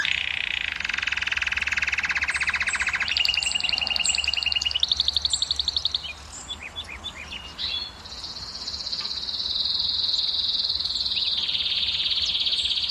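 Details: ['Canary song for prompting females to breed, successive fast trills shifting upward in steps, a brief pause with scattered chips, then a long sustained high buzzy trill.']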